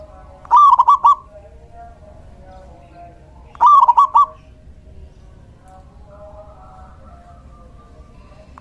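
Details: Singing male local zebra dove, a decoy call for attracting doves: two rapid stuttered coo phrases about three seconds apart, each a short tumbling series of ringing notes, with faint background hum between.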